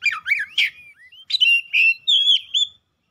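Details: White-rumped shama in vigorous, excited song; a varied run of clear whistled and slurred notes, some rising and some falling, ending in longer drawn-out whistles before silence.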